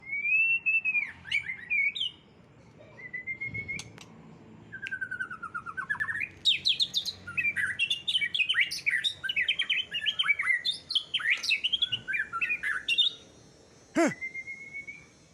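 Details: Champion white-rumped shama singing fiercely during an outdoor airing session: loud, varied whistled phrases with slurred rising and falling notes, bursts of rapid chattering trills and short pauses, clear and close with little background noise.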